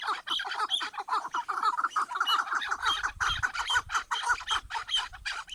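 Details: Chukar partridges giving rapid, raspy clucking phrases that overlap into a steady chatter, with a soft low thumping noise in the second half.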